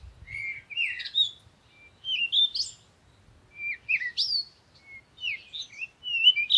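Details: A parakeet gives varied squeaky chirps and short upward-swept whistles in irregular bursts, with brief quiet spells between phrases.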